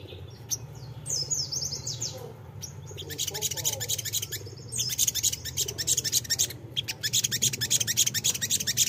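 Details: Crimson sunbird (sogok ontong) song used as a lure for wild birds: dense, rapid high-pitched chirps and twittering notes tumbling in quick succession, over a steady low hum.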